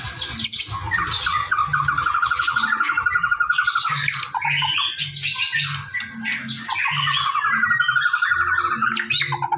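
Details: Morning song of a white-rumped shama played to prompt birds into song: a long run of rapid, even, chattering notes broken by bright whistled flourishes, over a pulsing low hum.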